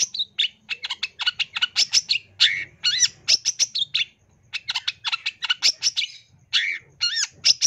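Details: A long-tailed shrike (cendet) sings in the full-fill 'isian tembakan' masteran style. Fast, varied chattering notes alternate with looping whistled slurs in two dense bursts, split by a brief pause.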